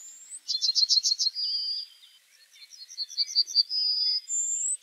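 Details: Yellowhammer song with two strophes, each a quick burst of clipped, repeated high notes followed by a long held whistle; a thin rising note opens and closes the passage.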